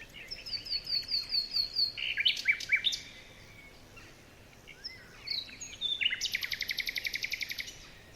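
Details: Morning chorus in a forest: a rapid run of high repeated notes, a burst of loud sharp chirps, a pause, then a fast even high trill lasting about two seconds.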